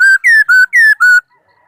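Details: Song of a laughingthrush, recorded in 2018: five loud, pure whistled notes in a quick run, alternating between a level tone and a slightly higher, downslurred one, then silence.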